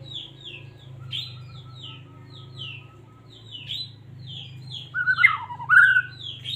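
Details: Song of a Medan white-rumped shama, kept as a songbird and played to stir other shamas to sing. Short downslurred notes repeat through most of the clip, then loud twisting whistled phrases come at the end over a low hum.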